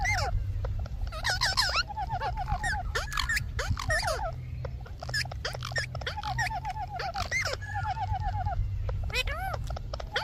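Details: Parrot talking amid a steady low hum, with continuous chattering chirps, wavering trills and short sweeping notes repeating throughout.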